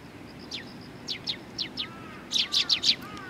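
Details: Eurasian tree sparrows coming to be fed at a Tenmangu shrine, 20 September 2020: single short downward chirps spaced about half a second apart, then a quick burst of four louder chirps.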